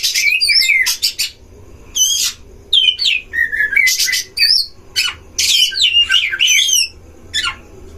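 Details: Oriental magpie-robin song used as a lure to provoke other magpie-robins, recorded at a breeding cage: loud varied whistled phrases with sharp sweeping notes and rapid chatter in bursts, with short pauses between phrases.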